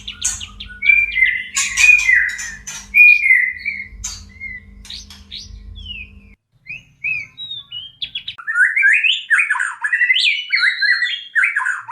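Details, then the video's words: Caged white-rumped shama in breeding condition, kept to spur other shamas into mating readiness: scattered short whistles and chirps over a low mechanical hum, then a brief pause before a loud run of rising and falling whistled phrases. "JEBOL BIRAHI BURUNG MURAI BATU TERBAIK !! murai kawin"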